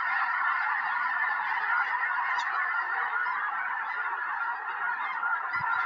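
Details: Snow geese by the hundreds descend on a rural Tennessee field, January 21, 2026, before a predicted snowstorm; countless overlapping barking honks merge into a continuous roar, with a brief low thump near the end.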